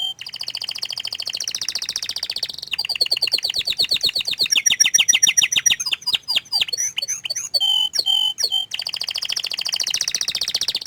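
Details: A canary, shy about showing its face, sings a rich chain of tours: a sustained high trill, rapid repeated chips, descending rattles, clear whistled notes, then another long shimmering trill.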